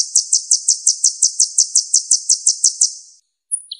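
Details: Purple-throated sunbird (kolibri ninja) singing a fast, even series of about fifteen sharp, very high notes over three seconds. The series fades away and is followed by a short thin whistle and a lower chip.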